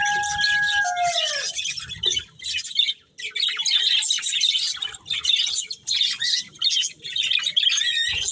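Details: Budgerigars of a breeding pair, chirping: two clear whistled notes fall at the start, then a dense, continuous, scratchy high warble with rapid chattering chirps runs to the end.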